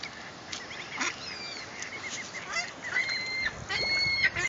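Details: Ducklings with their mother duck in Strathacona park giving clear, level whistled peeps, several drawn out, repeated over a few seconds against broadband outdoor noise and scattered clicks.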